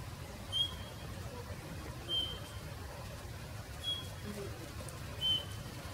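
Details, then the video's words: Male Eurasian bullfinch in Japan giving soft, pure, slightly weak piping whistles, four short slightly falling notes about every one and a half seconds, over a low steady background rumble. "美声の小鳥ウソがきれいで素敵な鳴き声で鳴いている動画/Singing Bullfinch"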